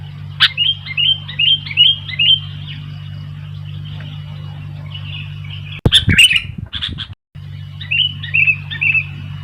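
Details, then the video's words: Sooty-headed bulbul as wild bulbuls become lively: repeated short bubbly warbled phrases, interrupted by a loud rustling clatter, then more chirped phrases, over a low hum. "Burung kutilang gacor ..sampai kutilang liar jadi ramai"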